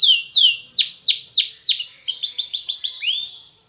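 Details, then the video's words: Canary of the Spanish Timbrado type singing a training song: long descending whistled sweeps at a steady pace, then a quick run of short clipped notes fading out at the end. "The Best Canary Sound !! Training Canaries To Diligent In Singing"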